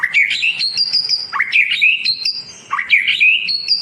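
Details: White-rumped shama song meant to tutor silent birds: brisk whistled phrases with sharp upward sweeps and high ringing notes, repeated twice.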